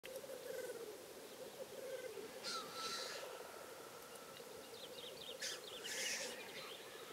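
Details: Black grouse at a lek in Karelia, Russia, 2016, during a hunt: a steady, low, dove-like bubbling rookoo runs throughout, broken twice by harsh, hissing, sneeze-like whooshes.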